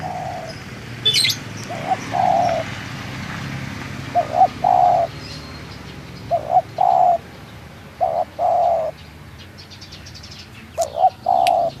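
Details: Spotted dove from Munjung Agung village, Kramat, Tegal, giving mellow low coos, each a quick stuttered pair followed by a drawn-out hoot, repeated steadily over a low rural hum with a faint distant chirp.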